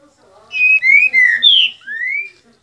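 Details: Green-winged saltator singing in February 2021 while moulting: a short phrase of four or five clear, rich whistles, some steady and some slurred upward, delivered in under two seconds.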